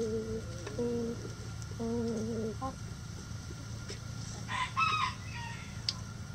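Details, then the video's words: Chickens calling: several flat, nasal tonal notes in short groups, then a brief, raucous, higher-pitched burst of squawks, with low background rumble. "Chicken Sounds Egg Song | Rooster Crowing"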